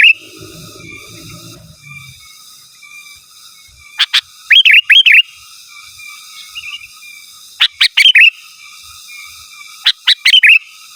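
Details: Wild-type sooty-headed bulbul song used to call rivals: bursts of three or four bright, fluty, up-and-down notes separated by gaps of a few seconds, over soft high background whistles and a brief low rumble.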